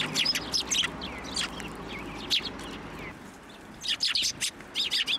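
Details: Sparrows landing on an outstretched hand to take food at a Tenmangu shrine, 1 January 2024: a cluster of sharp chirps, a sparser stretch, then a fresh burst of chirping.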